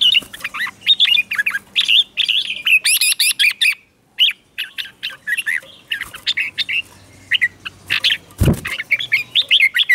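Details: Red-whiskered bulbul morning singing practice for a caged bird: busy, near-continuous run of lively whistled and chattering notes in quick phrases, with a brief gap midway and a soft low thump near the end.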